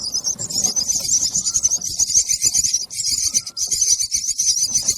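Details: Baby bird chirping for food: a continuous, very high, thin chatter of rapid chirps that runs almost without pause, with faint low rustling beneath.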